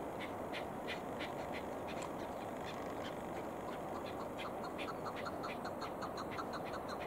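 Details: Chukar heard while hunting, giving a long series of sharp, repeated chuk notes about three to four per second, with a later overlapping second run, all against constant rushing background noise.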